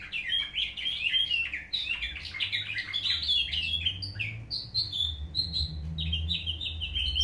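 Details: Caged canary trained in nightingale-style song. It gives a varied warbling run of quick trills and chirped notes, then clearer sustained whistles toward the end, with a low indoor rumble beneath.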